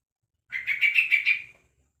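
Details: A one-month-old young Yellow-vented Bulbul gives a single harsh, buzzy chattering burst of about six quick pulsed notes lasting around one second, calling to other bulbuls.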